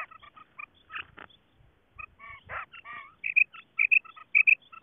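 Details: Female quail call used to lure quail during hunting: short, clipped tonal notes with harmonics in irregular bursts, mixed with some rougher broadband squawks, then a faster run of bright, repeated piping notes.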